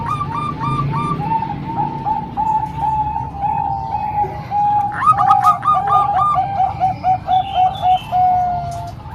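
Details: Three Bangkok and one local zebra dove singing together: brief higher notes open, then a long chain of gentle coos, and later a second bird adds a rapid, rolling series of higher bubbling notes over low hum.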